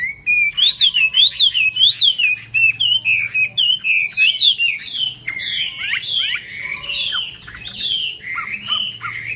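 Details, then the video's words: Hwamei singing hót xòe, wings fanned like an eagle: loud, evenly paced repeated whistled motifs that arch up and down, about one per second, then looser downward-sweeping phrases, on a quiet background. "chim họa mi hót xòe, chơi cánh đại bàng"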